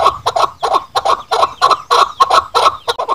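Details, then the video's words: Chukar partridge calling, a sound used to lure birds in hunting: loud, harsh clucking chuk notes in quick uneven groups, roughly three per second, fairly rough and rhythmic. "chakor ki awaz | voice of chakor | hunter chakor sound"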